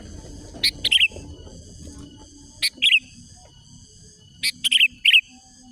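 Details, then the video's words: Sooty-headed bulbul calling rivals: a sharp click-like note followed by two or three rich warbled whistles, repeated three times about every two seconds, with a soft rumbling background and steady high hum. "Mikat Kicau Manai Menari Mencaru Lawan Kutilang Liar"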